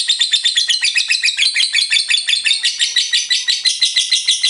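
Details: A lovebird delivering ngekek, its long chattering song, as a tight, uninterrupted series of shrill, raspy syllables, about two per second, keeping a steady loudness.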